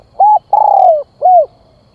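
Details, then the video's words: Lure call of a spotted dove: a short level coo, then a long wavering coo that falls in pitch, and a closing curved coo, all clear over quiet background. "Tiếng Chim Cu Gáy Gọi Kích Mồi"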